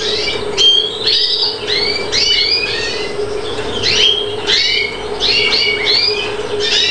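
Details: Captive-bred European greenfinch on Chios, Greece, in 2013, singing a varied run of twittering notes and rising, sweeping chirps, with a steady low hum underneath.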